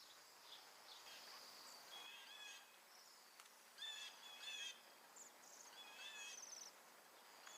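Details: Bohemian Waxwings, a flock of about a hundred feeding on mountain ash berries in Alberta in winter during migration from the Arctic; many thin, high, buzzy trilled calls overlap continuously, with louder bursts near the middle and a faint background hiss.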